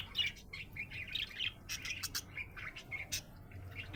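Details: Happy pet budgerigar chirping: a steady stream of short warbled chirps and chatter, with sharp clicks and a low background hum.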